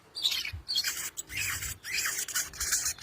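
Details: Sogon in 'konslet' style, calling out to a rival: a continuous, dense, rasping, grating chatter with short tonal slurs inside it, loud and unbroken for about three seconds.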